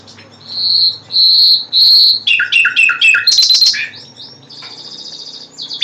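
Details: Three long, sustained whistles from a common nightingale, then rapid slurred notes swelling into a loud, fast trill, ending in a softer buzzy rattle.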